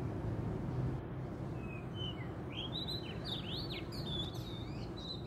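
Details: Wild-caught Oriental magpie-robin singing vigorously at a trapping site: clear whistled phrases, some rising and some falling, begin after a second and continue in quick varied bursts over a steady low rumble.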